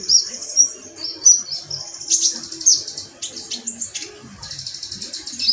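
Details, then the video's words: Metallic pygmy sunbird uttering shrill, squeaky high notes and buzzy twitters in a quick irregular sequence, some notes sliding slightly in pitch. "konin ombyokan metalik"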